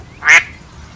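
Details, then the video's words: One short, loud, nasal quack from a duck, standing out against quiet background noise. "Duck sound (Natural sound, lovely, funny...)"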